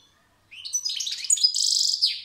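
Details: A European goldfinch gives a rising slurred whistle, then tumbling tinkly twitters. A rapid, evenly pulsed buzzing trill follows, and the phrase ends on a downward slur. Nothing else is heard.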